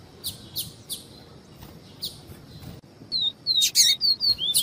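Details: Double-collared seedeater, viviti song type mixed with female calls: a few soft spaced chips, then a lively run of high descending whistled slurs and sharp chips.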